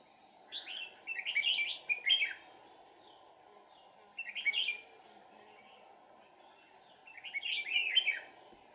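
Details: Red-whiskered bulbul used as a decoy in trapping, 1 April 2019: three chirpy, warbled phrases spaced about three seconds apart, each rising and falling, over constant low background hum.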